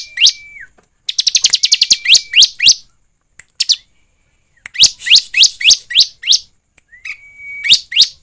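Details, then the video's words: Bar-winged prinia song for luring birds to sing: a brief flat whistle, then a fast rattling train of chirps, a quiet pause, and another lively series of rising chirps ending with a level whistle. "Pancingan ciblek agar bunyi dan cepat gacor || ciblek gacor ( suara ciblek)"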